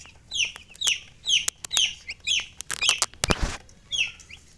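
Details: Loud falling peeps from baby chicks, about two per second, mixed with sharp clicks and a brief noisy scrape near the end.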